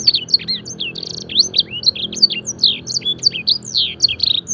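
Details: A fancy canary trained to mimic blackthroat and edel sanger song pours out a fast, unbroken song of high twittering trills and sweeping whistled notes, rising and falling several times a second, over a faint low hum.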